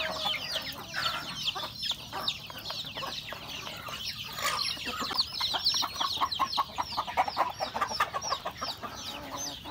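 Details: Home-kept chickens, roosters and hens, eating breakfast in a rural yard; a loud flock of rapid high chirps, growing into a quick regular run of sharp peeps toward the end.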